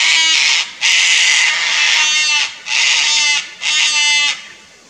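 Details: Harsh, grating screeches follow one another in quick succession, roughly one per second, from a Sulphur-crested Cockatoo pair disturbed by a Lace Monitor in a tree beside their nest tree, Fraser Coast, Queensland, Australia.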